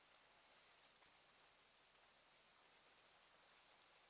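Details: Quiet, even outdoor hiss at an osprey nest in early morning, with no animal calls.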